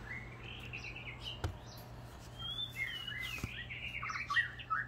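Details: Melodic, varied song of a white-rumped shama just outside windows on Kauai: flowing whistles and quick chattering notes, heard through constant fan noise with a couple of sharp knocks.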